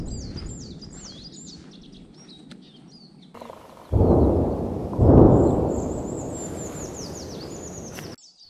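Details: A willow tit, a resident that winters in its breeding area, sings clear, high, falling whistles about one a second in woodland on Lüneburg Heath, March 2024, near 1°C, undisturbed by deep booms of distant tank gunfire.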